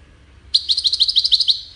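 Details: Brief goldfinch song fragment, part of its courtship and communication: about nine evenly spaced high chirping notes repeated quickly in just over one second.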